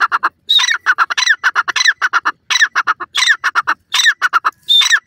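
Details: Male grey francolin (dakhni teetar) calling up close: loud, harsh, squawking notes delivered in rapid, evenly spaced bursts with brief gaps, some notes carrying a higher ringing overtone, over a quiet background.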